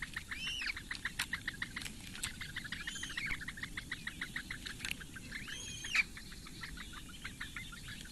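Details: Four Eurasian bittern chicks begging as the female feeds them at a reedbed nest on Lake Engure, Latvia, 15 May 2017, morning; rapid ticking calls repeated steadily, with a few higher upward-curving squeals, over low background rumble.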